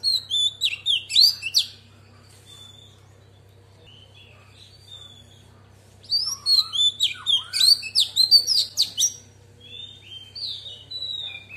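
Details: Singing female Oriental magpie-robin, forest-voice style, delivers two bursts of dense, high chattering whistles and sharp clicks, each about two seconds, separated by several seconds of near silence with faint soft notes and a steady background hum.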